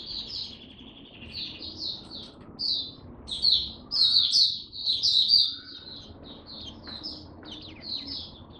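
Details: Oriental white-eye kept by a bird hobbyist, singing buka song: a sustained stream of high twittering and warbled notes rising in loudness midway, then easing off.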